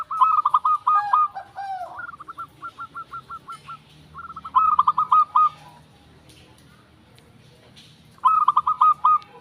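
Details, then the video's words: Local zebra dove singing: three bursts of rapid staccato cooing notes, each phrase a quick run of short, bright, evenly spaced notes, separated by pauses, with a faint low hum underneath. "Prekutut Gemoy Katuranggan"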